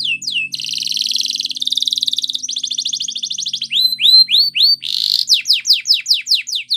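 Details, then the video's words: Belgian canary training song: a fast rising whistled pair, then long buzzy rolled trills, a run of upslurred whistles repeated about four times a second, and sharp descending notes at the end. "The Most Magical Training Belgian Canary"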